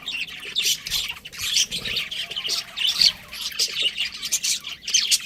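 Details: A breeding pair of pet budgerigars chatters steadily in scratchy, warbling chirps and squawks, running in uneven bursts without long pauses.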